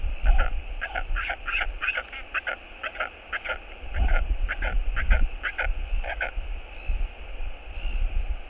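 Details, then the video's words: Northern royal albatross on a nest camera, dated 22.02.11, calling in courtship as its partner returns: rapid bursts of harsh, stuttering notes repeated through the clip, with steady low wind rumble. "Royal Albatross Cam - OGK回來 OGK is back ~ Skycall Of Love"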